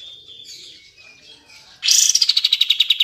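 A bulbul gives soft, high warbling, then bursts into a loud, rapid chatter of about a dozen sharp repeated notes in just over a second.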